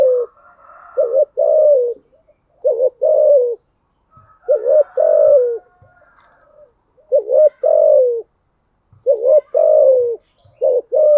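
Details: Spotted dove cooing in the thúc gù style: about five phrases, each a short low coo followed by a longer mellow, slightly falling coo, with gaps of silence between phrases.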